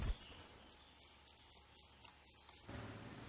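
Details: Black redstart nestlings in a nest inside an old furnace pipe of an old building awaiting demolition in Poland, day 11, filmed by nest camera; shrill, very high chirps repeated about four times a second, with brief low rumbling thuds.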